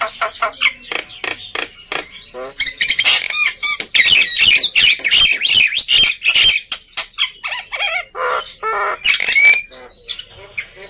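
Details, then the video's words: Black-winged myna in rowdy song intended to stir lazy birds to sing: harsh squawks and scratchy chatter interspersed with clear upslurred whistles, delivered in irregular rapid bursts, louder in the middle. "Kicauan Burung Jalak Putih Gacor Ribut || Pancingan Burung Jalak Malas Bunyi"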